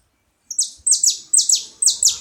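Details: Several saffron finches: a brief silence, then loud, bright, high chips falling steeply in pitch, delivered in quick pairs about every half second.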